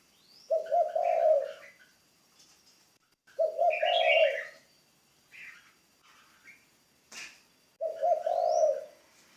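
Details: Spotted dove used as a ground decoy, still in training, repeats a deep, husky, multi-note coo three times at intervals of about three to four seconds, with scattered soft higher chirps and a brief click between phrases.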